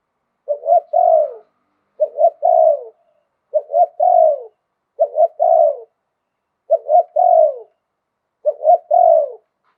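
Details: Zebra dove from Thailand in liw tan singing style with a wild-type voice, giving six evenly spaced phrases about every one and a half seconds, each a few quick clipped coos rolling into a drawn-out falling note.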